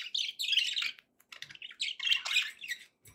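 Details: Budgerigar chatter made of rapid, uneven chirps and buzzy squeaks with short breaks between bursts.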